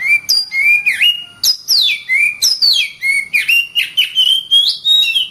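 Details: Oriental magpie-robin kept in a cage and trained to sing hard, pouring out a continuous stream of clear whistles that swoop up and down, with sharp high notes between rich lower phrases.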